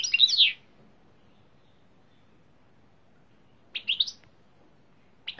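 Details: European goldfinch (though labelled greenfinch, Carduelis chloris) gives three bright, high twittering bursts, each under a second long, with long quiet gaps between them.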